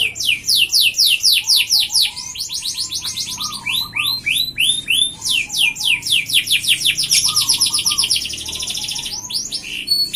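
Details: F1 canary, a lure and master recording meant to get other canaries singing: dense high trills of rapid, sharply falling notes that run almost without pause, with softer lower chirps now and then.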